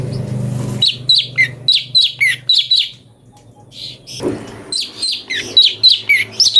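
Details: Cucak cungko song used to train magpie-robins: quick, bright chirped phrases over a low hum, a short quiet break, then a renewed string of fast, twisting notes.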